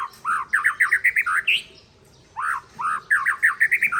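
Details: Aceh-type white-rumped shama from Tangse in song against a rival, delivering two rapid bursts of about ten repeated upslurred whistled notes each, climbing slightly and ending on a higher note, with a short silent gap between bursts.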